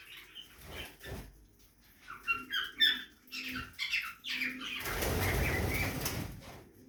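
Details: Budgerigars in a backyard aviary while feeding: scattered squeaky chirps and short chattering notes, then a loud rushing burst of wing flapping near the end.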